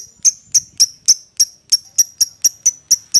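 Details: Lovebird calling out to its companion or a rival: shrill, piercing high chirps repeated about four times a second in a steady, even series.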